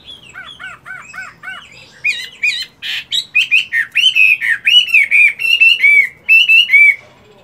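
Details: A moulting Chinese hwamei in a cage, in morning song practice, gives a series of repeated arched whistles. It then breaks into loud, rapid, varied phrases of harsh notes and rolling, looping whistles.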